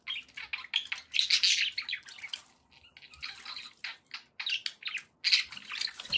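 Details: Captive budgies give a dense run of scratchy chatter and chirps, partly blurred by a steady wash of water-like noise.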